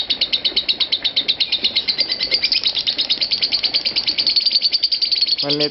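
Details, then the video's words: Caged lovebird in an Indonesian ngekek trill performance, the song running over five minutes without a break: a fast, steady, high chattering trill of sharp repeated notes, about eight per second, with a brief human voice at the end. "Aksi Ngekek Love Bird Marco 5 Menit 25 Detik Tanpa Putus"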